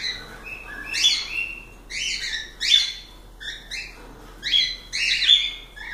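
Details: Pet cockatiels uttering loud, piercing chirps that slide upward, repeated roughly every second, with light hiss behind.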